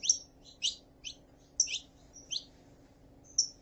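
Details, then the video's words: Female saffron finch calling: sharp high chirps with quick downward sweeps, given singly or in pairs roughly every half second to second, over a constant low hum. "CANTO DE FÊMEA PARA ESQUENTAR CANÁRIO DA TERRA (FÊMEA CHAMANDO E MACHO CANTANDO)"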